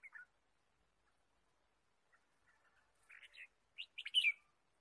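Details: Wild red-whiskered bulbul chirping in forest during bird trapping on 23 March 2017; a short opening chirp, a pause with faint ticks, then a rising run of quick, bright chirps ending in a louder flourish.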